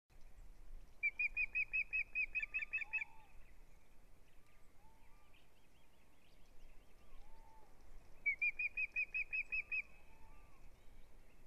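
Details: Osprey at its nest on a live nest camera, 6 April 2017, the male struggling with a large fish and with the female: two bursts of fast, high chirping notes, each run lasting about two seconds, over a low background hum.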